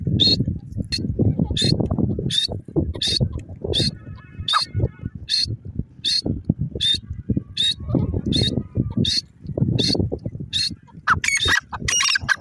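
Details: Irani teetar francolin calling in a long, steady series of brief high notes, about three each second, evenly paced throughout, with low rumbling noise underneath and a short burst of chattering near the end.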